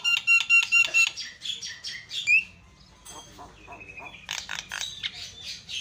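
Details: Javan myna (jalak kebo) in energetic chattering song, used as a lure and tutor recording for caged birds that have stopped singing: fast harsh buzzy bursts with a sharp rising whistle, a quieter pause, then another run of loud rasping notes.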